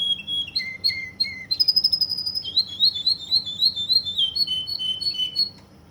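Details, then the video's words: Song of a Russian canary from Kuwait: short descending whistles, a long high held note, then fast rhythmic bouncing phrases of bright notes about four per second, fading at the end over a soft hum. "Russian canary from Kuwait"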